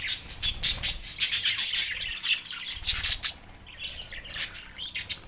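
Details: Budgerigars in Larkana, Sindh, recorded on March 9, 2024, described as going crazy in mating; dense high-pitched chirps and squawky chatter come in rapid bursts, fading midway, then rising again in scratchy warbles.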